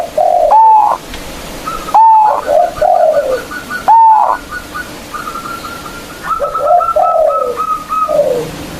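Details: Local zebra dove with a strong voice, used as a lure to make rival doves sing. Three loud rising coos with short stutters, then a long run of even, rapid notes and softer cooing nearby.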